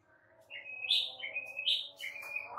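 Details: White-rumped shama song used as a training recording to make other shamas respond: clear whistled notes sliding between mid and high pitch in short linked phrases over a steady low hum.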